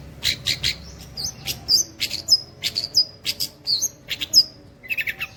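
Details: Long-tailed shrike mimicking the cililin with scratchy chirps mixed with quick downslurred whistles, delivered in an irregular stop-start rhythm and closing with lower twittering notes.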